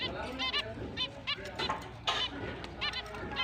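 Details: Several finches chirping as their breeding and mating season begins, October 29, 2023: quick nasal beeping notes in overlapping bursts, some doubled, over a steady murmur of background noise.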